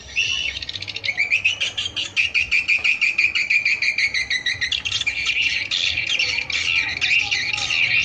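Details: Swiftlet lure call played to attract swiftlets: dense, continuous high chirping and twittering, rapid clicking pulses about three per second, steady throughout, with a faint low hum underneath.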